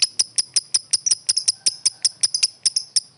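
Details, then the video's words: Lovebird calling to a rival with sharp, high, ticking chirps repeated about five to six times a second in an uneven, steady stream. "suara burung lovebird memanggil lawan | the sound of lovebirds calling the opponent"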